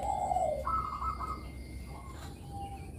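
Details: Zebra dove of the Bangkok type, a lively singer used to lure young doves into singing: a short, quiet phrase with a descending trilled coo, then higher, steadier whistled coo notes over low background hum.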